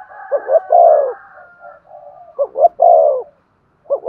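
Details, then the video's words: Spotted dove cooing to excite another dove into song. Two deep phrases of short notes and a long coo are linked by soft continuous murmuring, with a thin higher tone overlaying the start. "Chim cu gáy kích bổi nhanh nổi. tiếng cu thúc gù hay"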